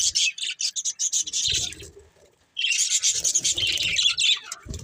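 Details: Budgerigars pour out fast, high chirping in two dense runs of scratchy notes, split by a brief pause.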